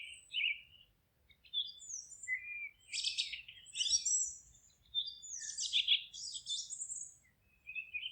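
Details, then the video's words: Singing birds in a forest with a faint low rumble beneath: scattered chirps, then several dense rattling trills and high twitters, closing with a short chirp. "Forest relaxing sounds of singing birds"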